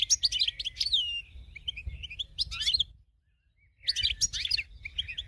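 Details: Winner goldfinch song used as a training model: long runs of rapid, bright twittering mixed with thin whistled slurs, a brief silent gap mid-way, then another busy chattering phrase over a low background hum.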